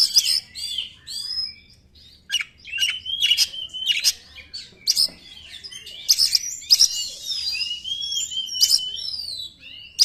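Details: White-rumped shama lure song: varied whistled phrases, sharp clicks and harsh bursts, delivered in energetic spurts with brief quiet gaps.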